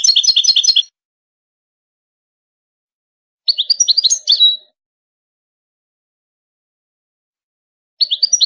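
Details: Goldfinch producing three separate bursts of quick, liquid chirps, each a rapid string of high notes about a second long, spaced several seconds apart against silence.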